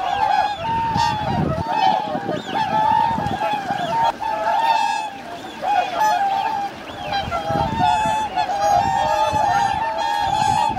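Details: Swans wintering on man-made Lake Hyoko in Agano City, Niigata, Japan, 8 January 2022, 2628 counted: loud bugling honks in bursts, some sliding upward, from a massed flock, with brief quieter gaps.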